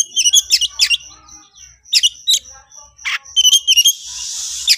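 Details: Oriental magpie-robin in 'konslet' style, worked up and challenging a rival: quick high chirps in small clusters, a thin steady whistle between them, and a hissing burst near the end.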